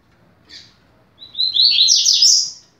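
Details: Double-collared seedeater in fast 'rápido de bico' style, song for teaching young birds. A short isolated chip comes first, then a dense, rapid high phrase rising toward a bright, slurred finish. Background is otherwise quiet.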